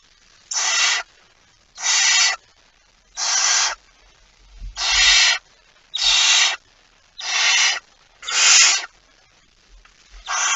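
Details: Barn owl at its nest with prey on the night of 23 September 2019: eight short rasping hisses spaced about every 1.3 seconds, with a faint low rustle midway.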